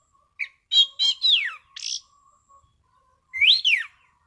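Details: Orange-sided thrush in relaxed, clear ngeplong song. A short chirp, then quick looping whistles, one sharply falling slur and a buzzy burst, a pause, then two rising-falling whistles. A faint steady hum runs underneath.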